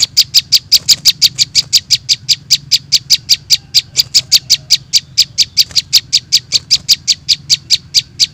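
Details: Calls of young prinias (prenjak) used to lure small birds: nearly continuous, high, sharp chirps, roughly five per second, hammering on steadily without a break over a soft low hum.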